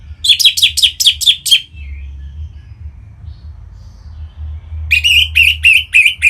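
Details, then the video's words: Orange-headed thrush song used to spur other birds into singing: a fast string of about seven sharp, repeated notes, a quiet pause, then another rapid series of five or six ringing chirps, over a low background hum. "Punglor Merah Lagi Berkicau.. Untuk Pancingan Bunyi"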